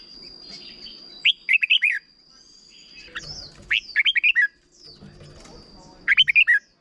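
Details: Teacher song for young birds from a red-whiskered bulbul in Thailand, in the short doubled style: three repeated phrases of five quick, bouncy whistled notes about every two seconds, over a steady faint high tone.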